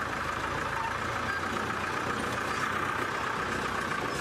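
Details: Idling vehicle engine at sunset in Kenya, a steady broadband drone with no other clear sounds.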